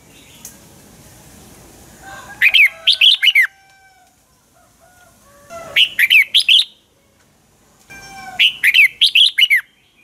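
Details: Red-whiskered bulbul in dueling song, played as a lure bird to spur others to sing: three short bursts of bright, rapid, downslurred whistles, each of about five notes, recurring every two to three seconds.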